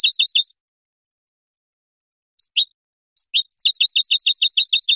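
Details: European goldfinch, clean Spanish song for training young birds: a rapid twittering phrase, a pause of about two seconds, a few spaced chirps, then a long fast series of bright repeated double notes; silent background.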